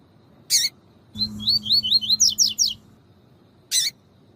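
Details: Double-collared seedeater singing the tui tui song style used for training males: a quick series of high, slurred whistled notes rising and falling, ending in sharper downward strokes, with a low steady hum beneath and a short burst of noise before and after.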